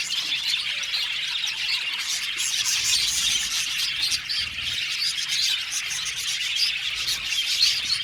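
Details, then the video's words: Seventy pairs of aviary budgerigars fill the air with rapid, shrill chirps and scratchy chattering, many voices overlapping continuously, with some louder squawky notes near the end. "Beautiful Budgies chirping sound"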